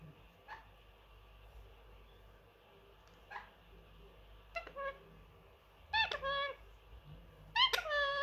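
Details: Indoor pet Indian ringneck parrot, a three-year-old male that mimics phrases. Faint short chirps come first, then louder harmonic, speech-like syllables with falling and rising inflections near the end. Low household hum runs throughout.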